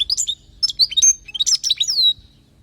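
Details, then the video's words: Palestinian European goldfinch delivering a training song for young goldfinches, a dense run of high chirps, trills and sliding whistled notes ending in a clear downward-sweeping whistle. ""حسون لغة للتعليم"trining bird chardoneret"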